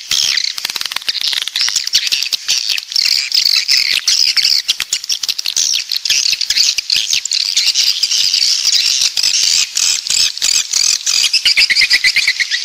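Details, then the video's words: Swiftlet calls of a southern coastal population: a busy, unbroken chorus of shrill chirps and rattling twitters, many birds calling over one another with rapid clicks mixed in. "Suara Walet Pantai Dari Selatan"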